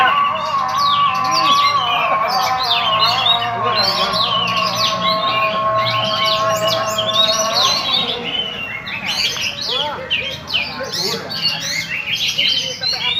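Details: Oriental magpie-robin (kacer raja Ampat) performing from one perch, its song a rich stream of varied whistles, rapid chirps and sliding notes. Some are held, some clipped. A brief quieter patch around the eighth second, then lively phrases return.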